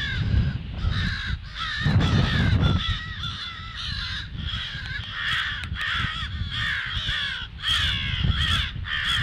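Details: Crows giving alarm calls at 08:50 on 18 February, a run of harsh repeated caws, roughly one or two per second, over a steady low rumble of background noise.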